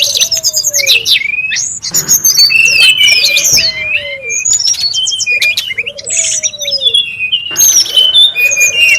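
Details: A Brown-chested jungle flycatcher calls noisily in the wild, giving rapid, varied high whistles, swoops and chattering notes in quick succession, with repeated lower, drawn-out falling whistles between bursts.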